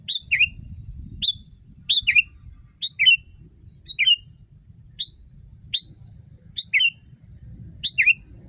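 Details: Sooty-headed bulbul song used as a tutor recording to start other bulbuls singing: a steady series of clear whistled notes sliding downward, often paired with a lower slur, about one phrase per second over a soft rumble.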